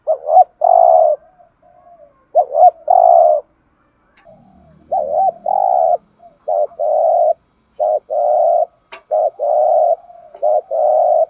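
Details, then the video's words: Spotted dove repeating a cooing call meant to set other doves calling, with many warbled notes and long coos in quick series, one brief pause, and a faint low rumble in the background. "tiếng chim chim cu gáy kích bổi nhanh gáy"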